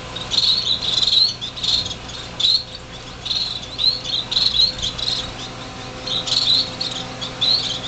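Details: Six finch fledglings in a greenhouse on their first day out of the nest, January 2007, able to fly a little: clustered high chirping with short pauses between bursts, over a constant low hum.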